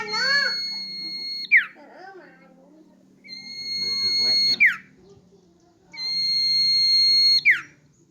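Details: Hand-held common iora in full song, three long level whistles, each ending in a sharp falling slur and repeated about every three seconds, with faint low murmuring sounds in the gaps.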